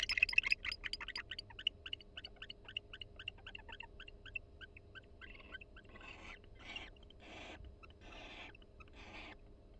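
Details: Barn owl pair in a nest box at the University of Florida, chatting quietly while preening each other in the breeding season: a fast run of short ticking notes, then several longer breathy hissing bursts.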